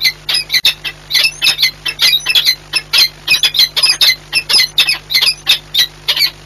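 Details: Harsh, rhythmic chupping squawks pour out almost continuously as peregrine falcons meet during courtship at Orlen Płock, Poland, on 8 March 2022; a faint mechanical hum runs throughout.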